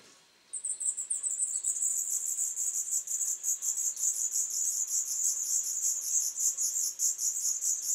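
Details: Black redstart nestlings of a third brood, reared by their parents in a former swallow nest, 21 July 2012; a dense, high, pulsing chirping chorus starts after half a second and continues without a break.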